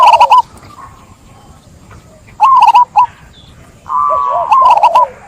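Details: Zebra dove delivering three short rippling coo phrases of quick staccato notes, separated by quiet pauses, with a fainter, lower overlapping coo under the last phrase.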